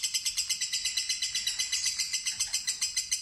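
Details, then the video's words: Long chattering trill of a fighter-type lovebird answering a lure recording: an unbroken run of rapid, evenly pulsed high buzzy notes, about seven per second, steady throughout. "Pancingan Lovebird Fighter Ngetik Ngekek Terpanjang"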